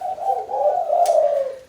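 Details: A caged, trap-caught Spotted Dove at night, prompted by hand snapping, gives a soft, low, mellow coo, drawn out and gently wavering for under two seconds, with a faint click partway through.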